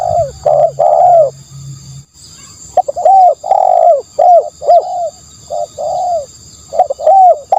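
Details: Spotted dove giving soft, low coos in a series of short and long rounded notes with brief gaps, the phrase breaking off briefly and then resuming. A faint low hum is heard at the start.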